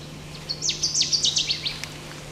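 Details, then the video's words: A distant Black-throated Green Warbler, singing off to one side, gives a brief series of high, buzzy notes lasting about a second and a half, over a low steady hum. "There's a black-throated green warbler singing off that way. Hear that? I don't hear it. There's a black-throated green, or beep beep beep beep beep. Listen."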